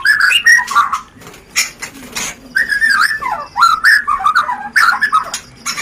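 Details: Mating-lure song of a white-rumped shama in the rencetan style: choppy phrases of warbled, bending whistles and short chirps, delivered in rapid clusters with brief gaps.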